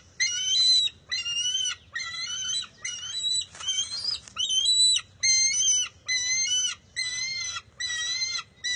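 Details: Bald eagle eaglet at a nest, squabbling with its mother over a fish on June 23, 2021; shrill, harmonic-rich squealing notes repeated about once per second, some rising and wavering, with a brief scuffling burst midway.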